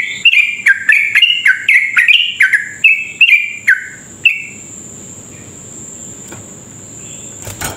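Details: Long, fast 'ropel' song of a sooty-headed bulbul, played to stir other sooty-headed bulbuls into singing: a quick run of about a dozen downward-sliding chirps that stops after four seconds, leaving a steady high whine and a final click.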